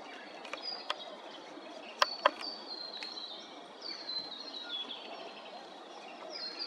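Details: Rainbow bee-eaters at Maryborough, Queensland, give high, rolling trilled calls, several overlapping and repeated through the clip, over steady background hiss with a few sharp knocks.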